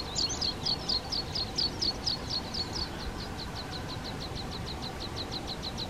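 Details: Water pipit in the Hrubý Jeseník mountains, Czech Republic, giving a fast series of thin high call notes, about two per second, fading over the last seconds against steady low background rumble.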